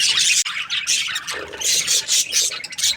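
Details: Breeding-season budgerigars chirping: loud bursts of high, rasping squawks and chatter in pulses about every half second, with many birds overlapping and a short gap near the start.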